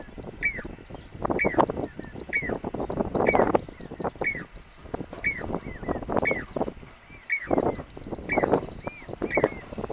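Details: Jacobin (pied) cuckoo song in the Aravalli hills near Roopgarh, Sikar, Rajasthan, India, in July 2020, at monsoon time: ringing, arched whistled notes about once a second, over steady wind and a low rumble.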